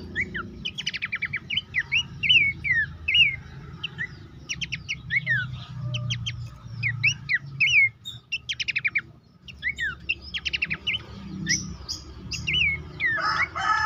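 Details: Horsfield's babbler song played to get caged birds singing: long stretch of varied whistled slurs and fast stuttering trills in repeated bursts, with a low background rumble throughout.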